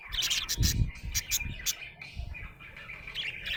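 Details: Cheerful budgerigar chatter: a run of high, buzzy tweets and clicks, densest at the start and then thinning into scattered chirps. A short low thump is heard early on.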